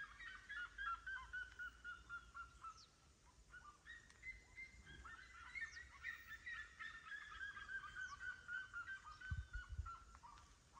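Loud, yelping series of red-legged seriemas, quick barking notes tumbling and falling in pitch, with two or more birds overlapping and building in chorus.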